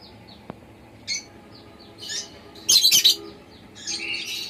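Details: A pet lovebird gives short, harsh, high chirps in scattered bursts, with a louder burst of rapid screechy notes near the middle; a faint tick early on.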